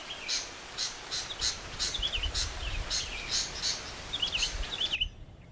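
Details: Sooty-headed bulbul kept as a decoy bird gives cheerful whistled phrases between steady, harsh, repeated bursts of noise. Low rumbling sounds run in the background.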